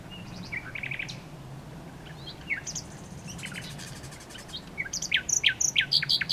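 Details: Varied nightingale song: scattered whistles and slurred notes build to a loud, fast, throbbing series of sharp repeated high notes near the end, against low background noise.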